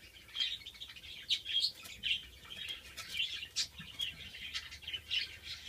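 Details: Antillean siskin (Carduelis dominicensis) from captive breeding pairs, males of 2013 and a 2014 male not yet in full colour, giving a busy, high twittering song of quick chirps and thin buzzy notes, running steadily with little pause.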